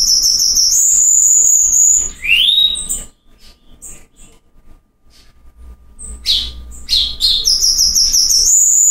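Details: A rare Cuban bullfinch singing in Cuba gives very high, thin whistled phrases with a fast trill, pauses briefly, then starts again with a rising slurred note.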